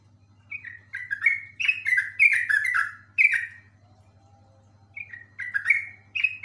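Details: Yellow-vented bulbul ropel song with a rich run of rapid, gurgling notes sliding downward for nearly three seconds, a pause, then another bubbly burst; steady background hum.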